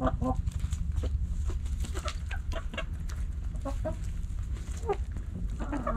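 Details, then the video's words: Backyard hens and roosters pecking and scratching; soft short clucks and many sharp scratching and pecking clicks scattered throughout, with a steady low hum underneath. "Backyard Chickens Hens And Roosters Pecking Scratching Sounds Noises Hens Clucking Roosters Crowing!"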